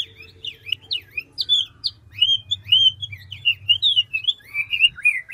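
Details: Ngũ trường Chinese hwamei, a large mature forest-caught bird, pouring out clear whistled notes that glide up and down in a varied, nonstop stream, with a low background hum throughout.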